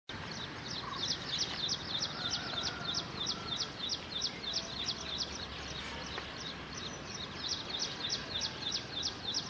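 Pied bush chat giving rapid, high, thin chipping notes, about three per second, steady throughout, over a soft background hiss.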